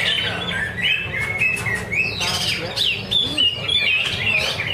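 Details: Greater green leafbird singing in a practice contest held at Danau Bumi Restu, Cikunir: clear rising and falling whistles and quick chirps in choppy bursts, with background talk and other birds calling.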